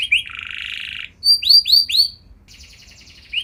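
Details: Canary song used to set off other canaries: a short downslur, a sustained buzzy rattle, three loud rising-then-falling whistles, then a softer fast trill ending in one more slurred note.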